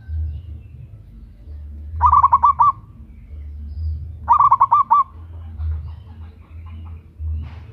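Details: Local zebra dove, a female calling a male, loud lure call: two fast phrases of several short, mellow coo notes about two seconds apart, followed by a few faint softer notes, over low rumbling hum.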